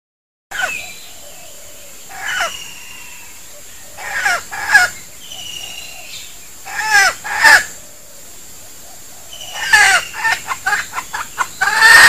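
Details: A red junglefowl lure call (denak), used to attract birds: harsh, raspy, crow-like calls in short bursts every two to three seconds, over a faint steady high hiss.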